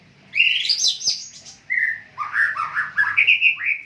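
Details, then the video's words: Caged white-rumped shama of the Medan type, kept under conditioning care and singing lively: a rich, varied song of clear rising whistles and quick warbled phrases, with short pauses between them. "burung murai medan gacor dor dor"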